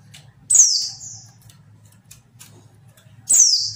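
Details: A female white-eye, used to provoke males into calling, gives two thin, high, downslurred buzzy calls about three seconds apart, over a faint low hum.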